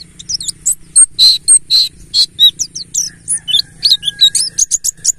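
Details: Mountain white-eye lure song in the ngalas style for prompting captive birds to sing: lively high-pitched twittering with varied chirps, some lower rounded notes and quick slurred phrases, steady low background hum.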